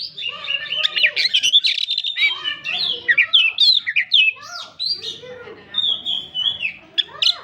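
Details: Oriental magpie-robin (kacer) singing in a lively, varied stream of high whistled and chattering phrases, rapid notes swooping up and down with short slurred trills and brief pauses between bursts.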